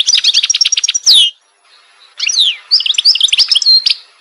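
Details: Kabylie goldfinch giving short bursts of quick twittering notes and a downslurred whistle, a brief pause, then more chirping phrases and trills.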